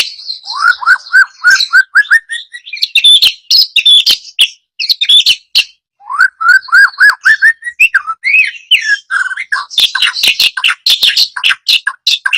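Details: White-rumped shama singing a loud, varied song: runs of rapid rising whistled notes repeated in series, mixed with sharp clicks and high chattering phrases, continuing almost without pause.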